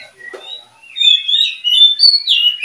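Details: Oriental magpie-robin from a breeding pair: a soft low note, then loud, clear whistled phrases that slide between high and higher pitches, rising at the end, with short pauses between bursts.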